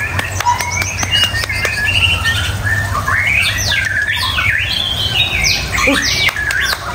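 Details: White-rumped shama song, a varied run of whistled slurs and rising and falling sweeps between low and high notes, with sharp clicks, over a steady low hum.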